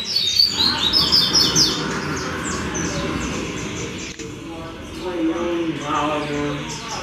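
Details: A captive double-collared seedeater singing in a "roda" gathering gives a rapid, high twittering song of sharp, repeated notes that fades after the first seconds, with lower voices, music and background noise throughout.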